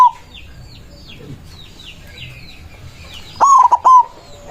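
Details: Single loud song phrase from an agitated white zebra dove calling rivals, heard late in the recording: a hooked rising coo followed by a few clipped coos, after a stretch of high chirping from other birds.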